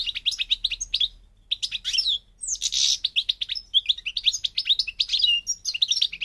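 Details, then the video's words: European goldfinch song from North Africa, Parva Morocco style: fast twittering run of bright, high notes and trills, a brief pause, then a harsh buzzy note followed by more rapid tinkling phrases, clean with no other sounds. "The Goldfinch's Song North Africa - Parva Morocco Bird Song"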